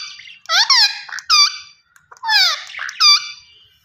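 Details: Two bursts of strident parakeet calls, each a grating downward-sweeping shriek followed by a clipped ringing note, separated by a brief silence, from the green ringneck parrot.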